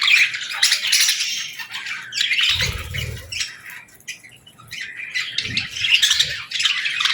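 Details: Budgerigar chicks and lovebirds during feeding time; clusters of shrill chirps and harsh squawks, a low rumbling thud midway, then more busy high chatter resuming.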